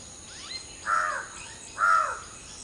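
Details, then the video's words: Dawn recording of a preening common hill myna: a quick rising whistle, then two loud, harsh, croaking notes about a second apart. A faint high insect hum continues in the background. "Hill Myna Serenade: Preening, Singing, and Morning Symphony"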